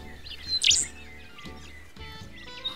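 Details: Rufous songlark (Cincloramphus mathewsi) in wild Australian wooded grassland: a single bright, high, scratchy song phrase with fainter high notes after, another bird calling from a high perch in background; soft music underneath.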